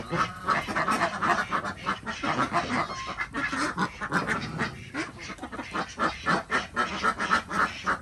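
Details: Desi duck flock at an Andhra Pradesh village farm during the morning egg round: rapid, choppy quacks, about four per second, overlapping in a loud, uneven chorus.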